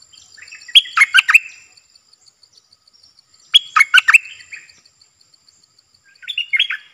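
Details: A wild Stripe-throated Bulbul, probably tending chicks in a nest and avoiding the cage, repeats a rich, bubbling warbled phrase roughly every three seconds, three phrases in all, with faint ticking in the background.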